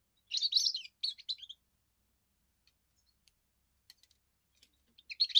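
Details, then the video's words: European goldfinch, a young bird, in its first song for defending territory and attracting females: a brief tinkling twitter burst, a long near-silent gap with faint ticks, then another burst starting. "first song of a young goldfinch amazing wonderful singing"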